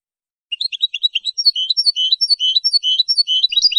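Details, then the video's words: European goldfinch in clean song, launching after a short pause into a dense, fast flow of bright, varied twittering and chirping notes, loud and uninterrupted to the end. "canto del jilguero limpio"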